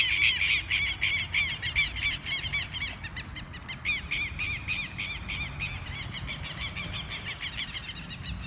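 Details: Southern lapwing parents give harsh, strident alarm calls in rapid repeated bursts, several birds overlapping, while swooping low to intimidate a person removing their chicks from a field; low rumbling background noise.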